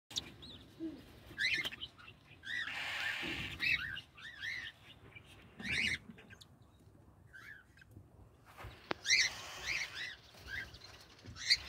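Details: Cockatiels at a nesting box in an aviary give short, arched chirping calls in quick series, broken by bursts of scratchy rustling.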